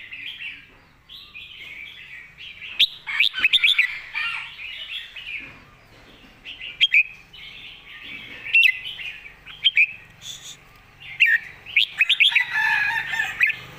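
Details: Red-whiskered bulbul delivering a clear master-song style with golden phrasing. Bright, emphatic whistled phrases recur every one and a half to two seconds over a continuous bubbling, chattering warble.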